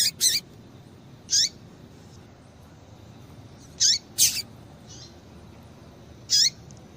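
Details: Female Double-collared Seedeater calling to stimulate a male: short high notes ending in a downslurred tail, given singly or in pairs every one to two and a half seconds.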